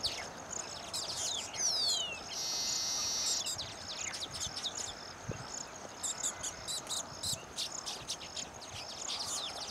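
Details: Baya weaver males at a colony after finishing nests, displaying with fluttering wings to attract females, sing high, thin chattering with a falling whistle and a long wheezy buzz, then scattered sharp chips.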